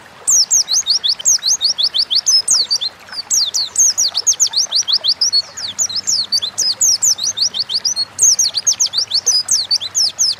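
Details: Gacor ngalas song of an Oriental white-eye, used as a pancingan lure so birds start singing fast: an unbroken stream of shrill, rapidly repeated slurred chirps over ten seconds, with a faint hiss underneath.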